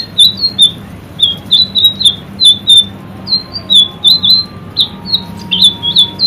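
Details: Caged white-rumped shama singing steadily in a training recording. Crisp, high chirps with small downward flicks repeat several times a second, and one lower note near the end breaks the run. No other voices are heard.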